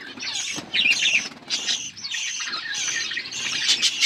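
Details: Feeding budgerigars twitter and chirp rapidly, with bright scratchy warbles and short whistled notes overlapping in bursts.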